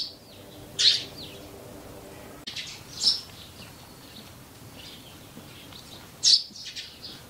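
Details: Eurasian tree sparrow, a wild bird living close to people, heard across the four seasons: three short, bright chirps, each well separated, at about one, three and six seconds, over a quiet background.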